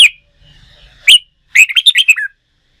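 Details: Caged red-whiskered bulbul in contest-singing training delivers two sharp rising whistles followed by a rapid burst of about six bright, warbled notes that drop lower at the close.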